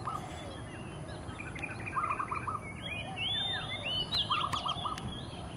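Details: Oriental magpie-robin singing its territorial song in early morning light: short trilled phrases mixed with varied whistles and rising notes, with other birds calling and a steady background hiss.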